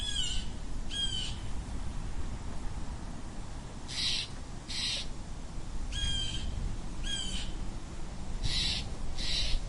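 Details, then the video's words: A blue jay gives harsh, raspy jeer calls in quick pairs, each pair a few seconds apart, over a low rumbling background. "Blue Jay Sound Effects - Blue Jay Calls and Sounds!"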